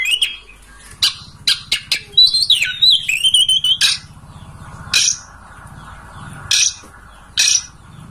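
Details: Oriental magpie-robin master song, played to provoke a kept bird into opening its tail and singing. It has varied whistles, a rising and falling warbled phrase near the middle, and short sharp notes spaced about a second apart.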